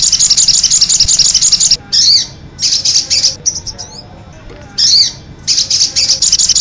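Crimson sunbird song: very high, rapid twittering bursts of one to two seconds, separated by short pauses, over a faint low background hum.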